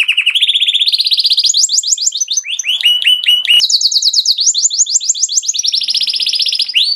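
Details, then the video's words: Mushti canary singing for mating: rapid tours of repeated high syllables, some flat buzzy trills, others quick descending sweeps, shifting pitch every second or so, loud and clean with no background noise. "تغريد كناري موشتي Canary Mushti cantando"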